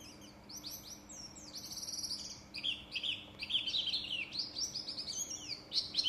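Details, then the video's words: A young Buxtoni Japanese white-eye practising its song: a long, varied stream of high, thin twitters, slurred down-sweeping whistles and quick trills, gathering speed and loudness toward the end, over a faint steady hum. "PLECI Buxtomi belajar bunyi"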